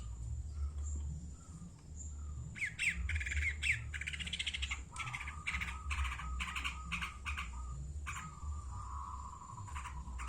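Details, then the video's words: Long-tailed shrike (cendet) from Madura: harsh, grating squawky bursts mixed with lower, thin whistled notes, over a steady high hiss and a heavy low rumble. "burung cendet madura asli gacor"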